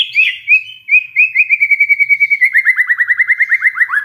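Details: White-rumped shama, stirred into song by a lure track, producing a long even series of quick repeated whistled notes, steady at first then speeding up and dropping slightly in pitch toward the end.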